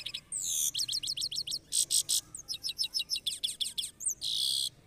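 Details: Goldfinch singing in a red cage, a loud run of quick repeated high twitters and harsh buzzy bursts, roughly four notes a second.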